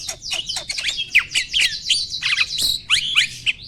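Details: Mature male Asian pied starling in stable breeding condition, performing its pumping display; rapid, continuous chatter of high buzzy squeaks and downslurred whistles with no pauses.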